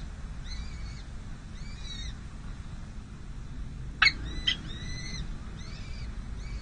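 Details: Peregrine falcon nest at San José City Hall on 5 May 2022 during the first, difficult feeding of two small chicks: thin arched peeping whistles in short groups, one sharp louder call midway, over steady low hum.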